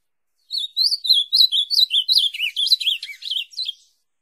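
An ultramarine grosbeak sings one quick, clear phrase of about a dozen bright, slurred whistles, rising and falling and dipping lower toward the end. No other sounds.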